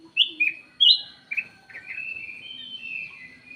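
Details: A lure call from the ruby-throated bulbul opens with a few bright, sharply falling whistled notes, then flows into a sustained, gently wavering warble.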